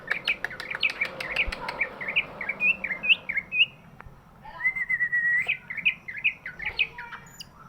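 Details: A large greater green leafbird sings, used to prompt lazy birds into song: a varied run of short twisting whistled phrases, a long level whistle, then more quick warbled notes, with scattered clicks early on.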